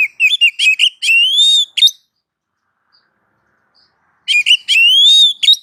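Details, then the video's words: Kacer, the Oriental magpie-robin, in a masteran track. Two loud bursts, each a run of quick choppy chirps leading into a sustained, slightly rising whistle, separated by about two seconds of silence. "suara masteran Kacer satu ini"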